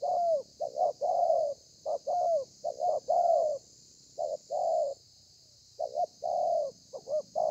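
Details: Spotted dove recorded 30/11/2020, singing a well-formed thổ pha cooing style with lèo and dặm variations; short and longer low coos in uneven groups, some slurred downward, with a steady high hiss above.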